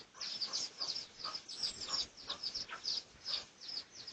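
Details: Red junglefowl of the Pradu colour, recorded for research on 18 August 2023; shrill, high, down-slurred peeps follow one another quickly in an uneven stream.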